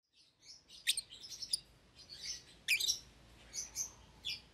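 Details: Young pair of lovebirds, a euwing green opaline and a red-eyed albino, kept together in a cage after pairing up and feeding each other; scattered sharp high chirps and short buzzy notes with quiet gaps between.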